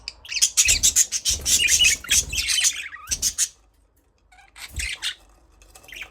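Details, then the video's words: Budgerigar chirping in a long rapid burst of loud, raspy high chirps with low thumps, then quiet and a shorter warbling chatter. "Budgies parrot chirping sound"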